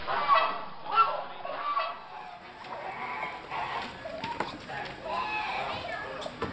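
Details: At the 2012 Swiss National Poultry Show in Sursee, a German black-winged bronze turkey gives clipped, ringing clucks and yelps in loose bursts, with hall chatter and other fowl calling behind.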